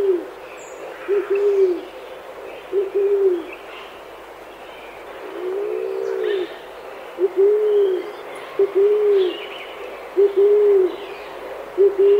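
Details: Chilean pigeon in Chile, a flocking bird of humid southern forests: low, soft coos in short arched notes, often paired, with one longer, deeper drawn-out coo mid-sequence and faint higher bird calls in the background.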